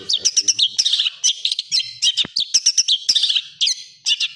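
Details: Long-tailed shrike (Lanius schach) song, used as training audio for captive birds: fast, scratchy song of harsh chattering bursts and high squeaky notes, delivered almost without pause.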